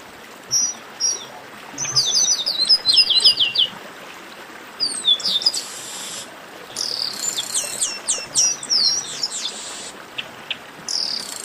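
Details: Group chorus ('baderna') of chestnut-capped blackbirds, used to get singing birds going; overlapping high chirps and sweeping whistles in several bursts, with faint insect-like buzzing between them.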